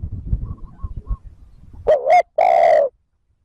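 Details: Spotted dove cooing to lure wild birds: after faint, thin whistles and low background rumble, a short wobbling double note leads into a single long, full, low coo.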